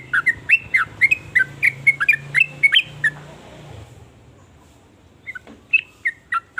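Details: Sooty-headed bulbul song, varied trucukan phrases meant to set other bulbuls singing; quick bubbling whistles for three seconds over a low hum, then a pause and a few scattered notes.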